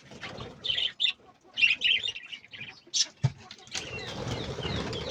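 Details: Budgerigars in a small aviary reserve chirp and chatter in quick, high bursts, followed by a rush of flapping wings.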